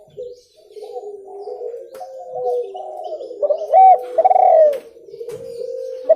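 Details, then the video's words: Spotted dove calling, a recording meant for luring birds: low mellow coos around one pitch, a run of soft notes followed by louder, harsher accented coos with overtones near the end. "SUARA TEKUKUR JERNIH COCOK UNTUK PIKAT"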